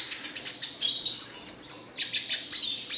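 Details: Red siskin song: rapid, high twittering notes repeated several times a second, rising and falling buzzy slurs in between, steady and energetic throughout.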